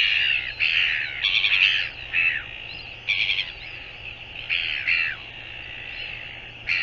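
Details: Northern royal albatross recorded 24 January 2022, with short, coarse, buzzy squawks and rattling notes in uneven bursts, fading toward the end, over background hiss.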